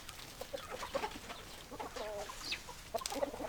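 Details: Chickens making a stream of soft, short clucks and murmurs, with brief low warbling notes near the middle and a busy background.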